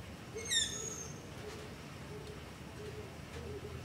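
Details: Begging Long-eared owl after dark close to a house, recorded on a Zoom H5 with LOM Usi Pro microphones: one fairly faint, high, slightly falling squeak early on, then a quiet background with only faint low sounds.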